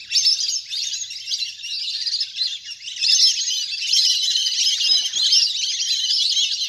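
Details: A large wild duck flock playing in the water, used to lure birds down: a dense, continuous chorus of overlapping high squeaky whistles and chatter that swells and fades throughout.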